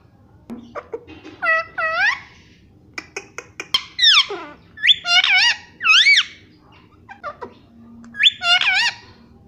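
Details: Pet parrot said to be talking and saying "papa" indoors; clear harmonic vocal phrases with rising and falling whistled tones, short squeaks and scratchy squawks in separate bursts over a quiet room background.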